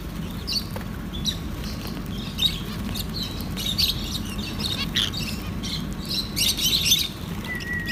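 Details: Lovebirds at mealtime eating soft food, giving scattered high, sharp chirps in quick clusters, busier toward the end, with one thin steady whistle at the close over a constant low hum.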